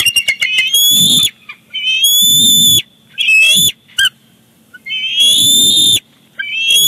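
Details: At the Big Bear Lake bald eagle nest, 18 July 2019, the father brings fish and the chick grabs it: stuttering chips followed by long shrill whistled squeals, separated by pauses and nest rustling.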